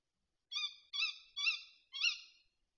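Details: A talkative tawny owl at a feeder in the Bieszczady on 7 September 2023 gives four sharp, nasal, harmonic notes about half a second apart, each with a slightly falling tail, in a quiet setting.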